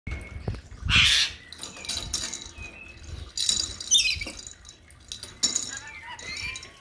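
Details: A lorikeet throwing a tantrum gives harsh, noisy screeches and squawks in irregular bursts, with shorter chattering and whistled notes between; some human speech is heard.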